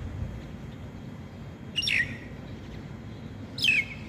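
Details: Myna in Taiwan, singing often, produces two separate descending, slightly buzzy calls nearly two seconds apart, with continuous low rumbling background noise between them.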